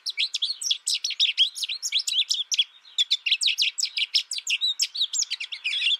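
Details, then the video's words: First-year American goldfinch raised alone with only a tutor recording sings an unbroken series of bright, rapid chirps and twitters, briefly thinning near the middle before carrying on. "My American Goldfinch sings a tutor calling birds, goldfinch excitation to sing,goldfinch chirping"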